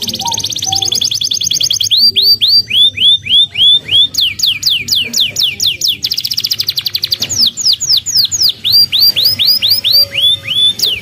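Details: Canary song from a young bird, played as mastering to teach other canaries: dense high trill, then chains of sharp downslurred whistled notes repeated about four times a second, with faint low background hum.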